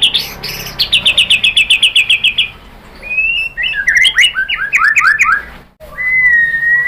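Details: A White-rumped shama sings to provoke other shamas into replying, opening with a rapid, even series of about fifteen bright clipped notes, then a jumble of quick slurred chirps, ending on a long clear steady whistle.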